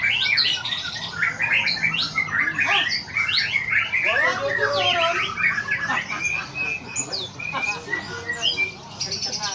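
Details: Vigorous white-rumped shama song: quick bursts of sweeping whistled notes and clipped chirps, varying constantly in pitch, with a thin high buzzy phrase near the end and other bird sounds mixed in.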